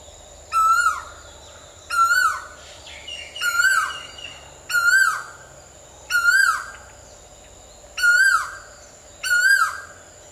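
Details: Asian koel calling repeatedly, seven ringing, downward-bending notes about every one and a half seconds, with faint twittering of another bird in the gaps and a constant low hum.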